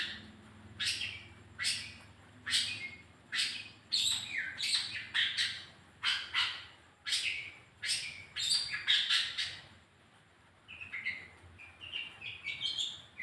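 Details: Long-tailed shrike singing as a lure to make another bird sing: rapid run of loud, harsh rasping notes about twice a second, a short pause, then softer varied chattering and whistled fragments.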